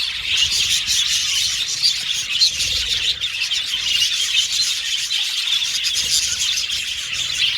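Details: Budgies making chirping contact calls, said to be used to find companionship; an unbroken wash of high, scratchy warbling and tweets at an even level.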